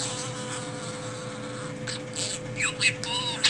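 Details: A budgerigar standing on one leg chatters in quick, high chirps and rising-falling warbled whistles during the last two seconds, over a steady electrical hum and buzzy room noise.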